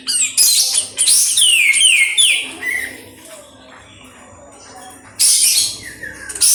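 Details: White-eared sibia singing, loud clear whistled phrases sliding downward in quick runs, with bright high rattling notes at the start and again near the end, and a quieter pause in between.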